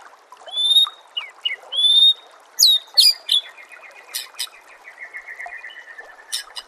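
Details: Masteran song of the white-rumped shama, used to train caged murai batu: clear high whistles, sharp downswept notes and rapid chips, followed by a softer rattling series over faint background hiss.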